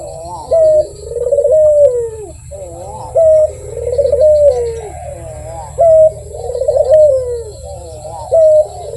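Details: Barbary dove, described as lively and melodious, repeating a regular coo about every two and a half seconds. Each coo is a bright held note, then a vibrating, falling roll, over a low hum.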